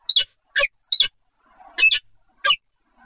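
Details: Peregrine falcon vocalizing at the Evoluon nesting site in the Netherlands, afternoon of 7 February 2020: five loud, grating, clipped notes in quick irregular succession, some doubled, with quiet gaps and faint background hum.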